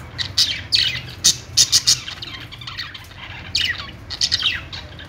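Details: Budgie chatter with sharp, clipped squawks in a quick cluster near the middle, then rolling high warbles and chirps toward the end.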